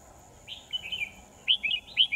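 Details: Trapping decoy red-whiskered bulbul, 10 December 2018: two warbled whistled phrases about a second apart, the second louder and choppier, over low steady hum.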